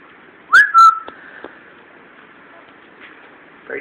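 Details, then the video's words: 14-year-old male Timneh African grey parrot, chatty and happy indoors after moving to a new house, gives one clear whistle that rises, then holds steady, with a couple of sharp clicks; soft room noise follows. "Bird getting chatty"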